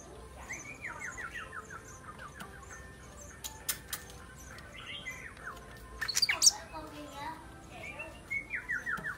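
A sooty-headed bulbul gives quick runs of bright, descending chirps in short bursts, with sharp clicks and faint background noise.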